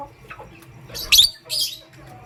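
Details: Pastel grey and green lovebirds in the morning give two loud, rasping high chirps about half a second apart, with faint softer notes before them.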